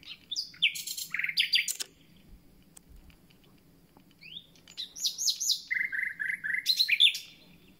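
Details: Common nightingale, freshly returned and opening its concert, delivers varied phrases: rising whistles, buzzy rattles and rich rolling notes, a pause, then a second burst of quick repeated gurgling notes and high trills.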